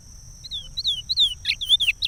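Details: Curió, the Chestnut-bellied seed finch, in its regional Pará song for training young birds: several clear downslurred whistles about a third of a second apart, ending in a quicker burst of buzzy and whistled notes.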